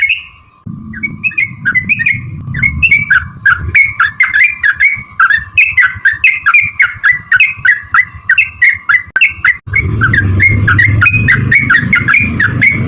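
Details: Sooty-headed bulbul singing its long, fast 'ropel panjang' song, used as a lure: quick repeated bright whistled notes, several each second, with a steady hum and low rumbling noise.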